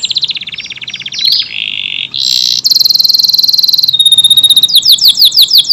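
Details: Canary of the AF type delivering tight rapid bursts: a fast high trill, a steady buzzy note, a sustained high ringing trill, then quick repeated downslurred chips. Intended for tutoring Murai, Kacer and other songbirds.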